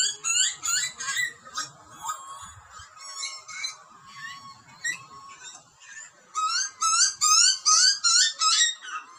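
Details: Baby butcherbird in Australia screaming for food during parental feeding; harsh squeals at first, a softer stretch, then a fast regular burst of loud rasping screeches near the end.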